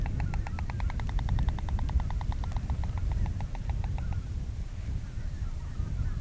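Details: White Stork just returned from wintering quarters to the Lower Oder Valley floodplain national park, Germany, clattering its bill on landing in territorial display: rapid, dry wooden rattle, about seven knocks per second for four seconds, over low wind rumble.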